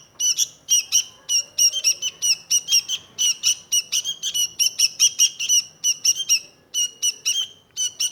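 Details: Kutilang, the sooty-headed bulbul, from Indonesia, delivering quick rasping chirps in steady rhythm, about three notes per second, bright and high, over a quiet background.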